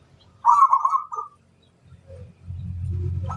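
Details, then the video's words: Local-type zebra dove cooing to call a rival: one rolling, vibrating coo phrase under a second long, followed by quiet and then a swelling low rumble. "suara burung perkutut lokal memanggil lawan"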